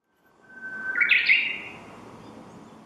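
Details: Japanese bush warbler singing while hidden from view: one long, steady whistled note, then a louder, quick, sharp flourish that falls away.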